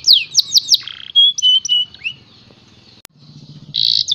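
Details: Canary song with bright high trills and sweeping whistled notes, a rapid run of descending slurred notes, a brief buzzy roll, then a pause with low background hum before another fast trill.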